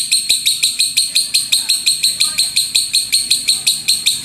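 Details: Training master of a lovebird's rumbling 'tembakan' song: fast, regular bursts of piercing high chirps, close to four per second, sharp and buzzy, with faint low hum underneath.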